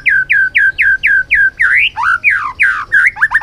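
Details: White-rumped shama in a training song of many forest voices: six matching down-slurred whistles in a steady quick series, then varied rising and falling whistled notes ending in a rapid trill-like flourish.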